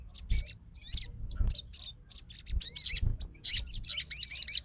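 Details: Crimson sunbird responding to another sunbird's song: scattered high squeaky phrases and short twittering bursts, growing into a denser trill toward the end, with low background knocks.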